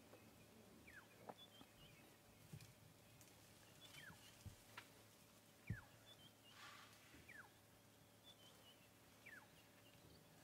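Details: Black-headed Oriole in the background at sunrise on 8 June 2016 in Sabi Sand, South Africa, near an elephant herd, giving faint, liquid downward-slurred whistles roughly every two seconds over low rumbling, a steady hum and occasional thumps.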